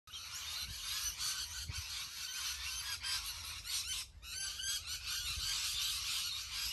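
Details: Huge flock of rainbow lorikeets in Australia, a dense wall of shrill, overlapping screeches and chatters that never stop, with a brief dip in the din just after four seconds.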